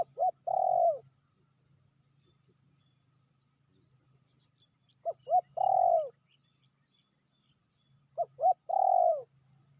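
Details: Spotted dove hen, described as fiercer than the male, delivering a moderate call three times: two short rising coos followed by a long vibrating coo, spaced about three and a half seconds apart, with a low background rumble.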